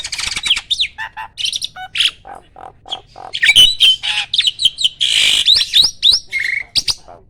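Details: Captive competition starling, a champion bird, delivering a loud varied song: fast chattering notes, squeaky whistles and harsh bursts run together, with rising and falling slurred whistles near the end.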